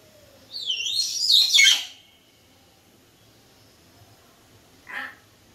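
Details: Pet sun conures: a falling whistled swoop runs into a harsh, buzzy screech burst, then silence. A short rasping call follows a few seconds later. Quiet indoor background.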